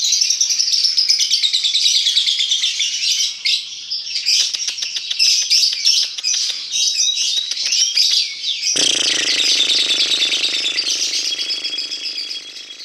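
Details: Lovebird 'paud' lure chatter to get birds singing: long stretch of rapid shrill twittering and squeaks with clicky bursts, then a constant low buzzing hum under the birds in the last third.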